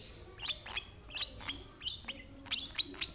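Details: Short, sharp high chirps, often in quick pairs, from a lovebird fed by an older sibling from the same parents, against faint background hum.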